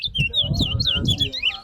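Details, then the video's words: Large-billed seed finch (towa towa) singing in a bird singing competition on a ground, a quick continuous run of clear whistled and warbling notes rising and falling, over a murmur of people talking nearby. "TOWA TOWA BIRD SINGING COMPETITION"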